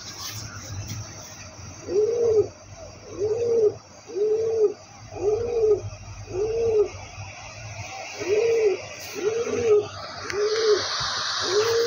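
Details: Pigeon giving a long series of evenly spaced low coos, about one every second or so, each a soft rising-then-falling hoot over faint background noise.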